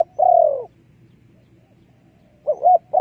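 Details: Spotted dove decoy call used for trapping wild doves: one long, slightly falling coo, then after a pause the start of a new phrase with two short notes. The background is quiet.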